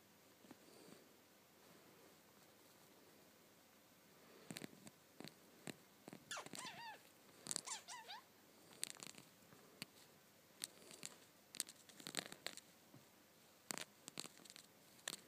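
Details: Two large budgerigars give short warbling chirps among sharp clicks and scratchy noises at close range.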